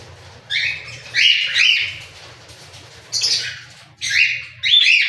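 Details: Cockatiel calls in short bursts: a pair of bright rising-then-falling whistled notes, a pause, then a harsher squawk and two more whistled calls in quick succession, with a faint low hum behind.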